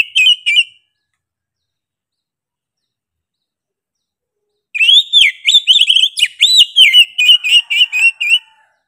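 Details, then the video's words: Oriental magpie-robin giving persistent, sharp 'gacor' singing: a brief whistled fragment, long silence, then a lively four-second phrase of swooping whistles ending in fast, softer chattering notes. "KACER GACOR NGOTOT PEDES SUARA NYA GA DA AMPOON"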